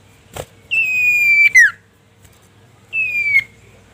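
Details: Common iora (cipoh sirtu) calling a rival, meant to rouse other birds. A long, clear whistle slides gently down and ends in a sharp downward flick, then a shorter falling whistle follows after a pause.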